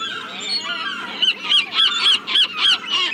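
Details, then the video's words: Seagulls calling, one bird giving a run of sharp, clipped, laughing notes about four a second over a wash of softer overlapping gull cries. "Relax with the sound of the seagulls"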